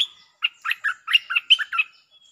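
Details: Bulbul singing as a lure, with doubled phrases. A rapid run of about eight warbled, slurred chirps of varied pitch lasts under two seconds, and faint twitters are heard at the edges.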